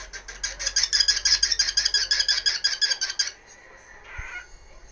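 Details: Indoor pet cockatiel giving its daily "kikiki" routine near 1 pm: a steady, evenly spaced run of shrill, harsh notes about three a second, stopping abruptly, followed by quiet room sound and a faint thump.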